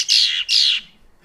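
Female Red-winged Blackbird giving two harsh, raspy notes, each about a third of a second, sliding slightly downward; her aggressive song toward rival females.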